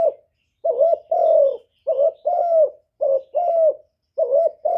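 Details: Lure call of a captive spotted dove used to draw wild males: rapid series of deep double coos, short wavering note then longer descending coo, five phrases in quick succession.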